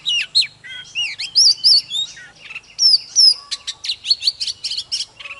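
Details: Oriental magpie-robin, a kept songbird, in full fired-up song: rich whistles, slurred swoops and rapid chattering notes run together, ending in a dense burst of fast clicks and trills.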